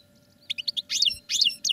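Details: Quick series of short chirps from caged European goldfinches in song training, followed by two louder, harsh, buzzy twittering bursts.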